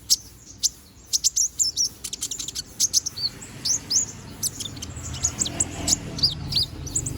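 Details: Young konin bird with bald patches, still growing feathers, chattering continuously: dense bursts of very high, clipped tweets and brief upslurred whistles, coming in quick clusters, over a soft low background rumble.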